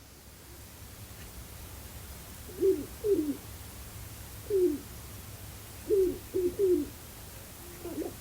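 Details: Sharp-tailed Grouse at a lek in Glacial Ridge NWR, northwest Minnesota, early April after a snowstorm (~6 inches snow), around 7:30 am, displaying some distance from a blind; low, hollow, slightly falling courtship coos in bursts of one to three notes over soft rumble.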